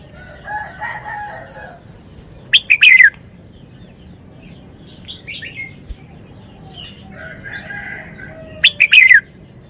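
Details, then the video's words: Red-whiskered bulbul kept in a cage delivering wild-style 'phleng pa' song phrases: two loud, quick, warbling whistled bursts about six seconds apart, with soft chattering from other birds in between. "นกกรงหัวจุก 292 เพลงป่า แกนโต"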